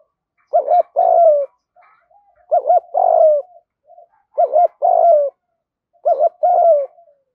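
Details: Spotted doves, male and female, calling to stir up captive training birds: four low, mellow cooing phrases, each a quick double hooked note followed by a longer throaty falling coo, spaced about two seconds apart, with faint soft murmurs between.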